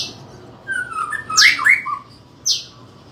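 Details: White-rumped shama of the Medan type, kept as a caged bird, in loud fighting-style song: harsh squawking notes sweeping up and down and sharp high bursts, recorded in a small room.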